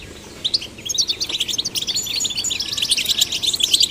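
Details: Goldfinch chicks of both sexes prompted to sing, starting quietly and building into a busy run of sharp, high chirping notes that grow denser toward the end.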